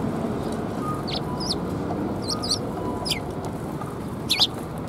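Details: Sparrows gathering to be fed at a Tenmangu shrine, 18 March 2021; several brief, sharp chirps and a quick double note near the end over constant low background rumble.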